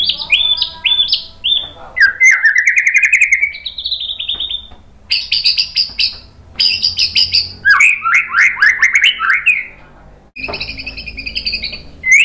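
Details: White-rumped shama song used to provoke other shamas: stuttering high whistles, a warbled run, buzzy high trills and loud, fast, downslurred whistle series, separated by short pauses.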